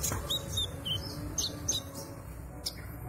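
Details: Oriental magpie-robin (konin ijoan) learning new sounds: thin, high whistled notes and quick sweeping chirps in short bursts, mixed with sharp clicks and a low background hum.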